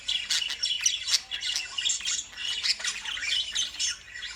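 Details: Harsh, high-pitched lovebird squawks pour out in quick succession, several birds calling over one another in a noisy chorus.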